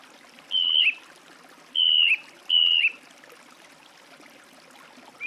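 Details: Song thrush singing: three loud, clear whistled phrases, each level then dipping at the end, the first on its own and the next two close together in a repeated pattern, over a steady soft hiss.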